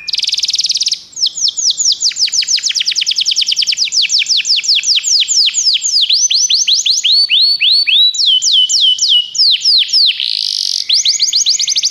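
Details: Canary song for stimulating a pet canary to sing: a brief dense trill, then a long stream of rapid, steeply falling whistled notes, tours changing speed and pitch, ending with another buzzy burst.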